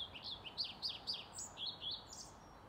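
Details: Singing European pied flycatcher, Sundsvall, 15 May 2019, outside a retirement home: lively high phrase of sharp falling whistles and short trills, about five notes a second, clear against low background noise.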